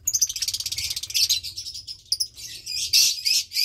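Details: Lovebird chick near 20 days old in a nest of two, parents Parblue Turquoise and Euwing Blue Opaline: fast pulsing high rasping chatter throughout, swelling into louder harsh squeaks near the end.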